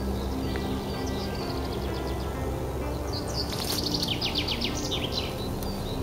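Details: Common chaffinch singing one of the first songs at the start of spring: a quick series of bright descending notes with a final flourish, following a fainter earlier phrase. Steady low rumbling noise throughout.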